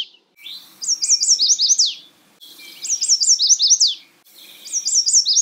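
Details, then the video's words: A Chestnut-sided warbler sings three quick, high, sweet phrases of slurred notes, each ending in an emphatic down-sweep, repeated about every two seconds. "Chestnut sided warbler"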